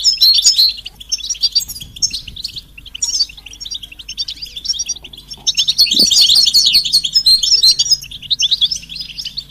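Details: European goldfinch betbeta and setseta song, mating and readiness calls meant to draw a silent male goldfinch into song: bursts of bright, fast twittering and buzzy trills, quieter between bursts, swelling to a dense chatter near the end.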